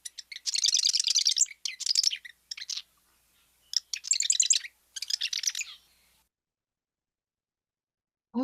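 Marsh Wren song: high, gurgling rattles about a second long, repeated several times with short buzzy notes between, then a brief thump at the end.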